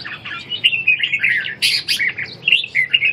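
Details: Red-whiskered bulbul ché competition singing, used to restore a bird's lost fire and strength; dense run of bright warbled and chattering notes, quick slurred phrases packed closely with short sharp bursts near the middle.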